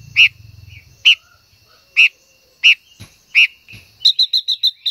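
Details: Silver-eared mesia female singing to excite a male: loud sharp chirps spaced about a second apart, ending in a rapid burst of about six clear, high repeated notes.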